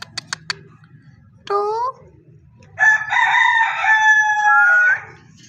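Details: Parrot vocalizing: a few sharp clicks, then a short harmonic call sliding downward, and after a pause a long, strained, crow-like harmonic call that rises at its end. A faint low hum runs underneath.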